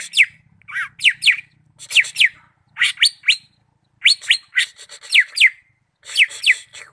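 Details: Greater green leafbird, Malinau, singing clean, loud descending whistled slurs in tight groups of two or three, with brief pauses between groups and one lower dipping note.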